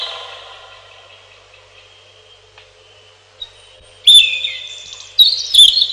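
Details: Robin singing: a fading, echoing tone gives way to bright, high, sharply struck whistled notes and short trills in a quick burst near the end, each note ringing on with a long reverberant tail.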